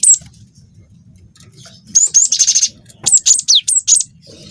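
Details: Young cinereous tit, wingko type, singing a long, lively lure phrase to provoke other birds: a buzzy high run near two seconds, then a string of sharp whistled notes with quick falling slurs, and a low background hum.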